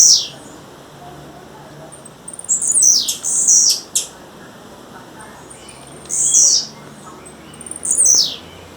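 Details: High buzzy calls from a wild female blue-black grassquit, each about half a second long, given in small clusters a few seconds apart, with quiet pauses between.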